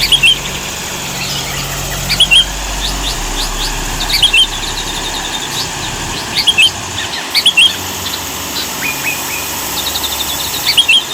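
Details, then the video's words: Sooty-headed bulbul, a lively singer kept for master recordings to train other songbirds: short bright chirped phrases repeated about every two seconds, over steady background hiss and a low engine hum. "Masteran kutilang gacor"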